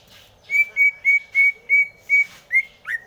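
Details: Greater green leafbird singing a steady run of eight clear whistled notes at an even pitch, each short and evenly spaced, the last one bending downward.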